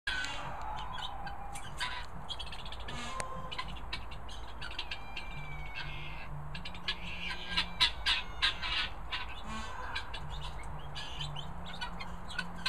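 Guineafowl keets give a busy stream of short, harsh chirps and squeaky peeps.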